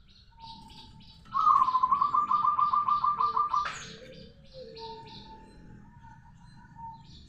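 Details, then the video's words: Local zebra dove, or perkutut, giving a long rolling song: a steady, low, purring trill of rapid pulses lasting over two seconds. Other small birds chirp high in the background. "Perkutut lokal gacor suara ngerol panjang"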